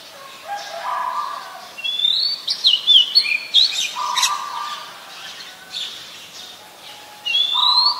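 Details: Oriental magpie-robin singing in the wild: clear whistled phrases, some sliding and some steady, in loose bursts between 2 and 8 seconds, with lower steady whistles from other birds and a soft rural background hiss.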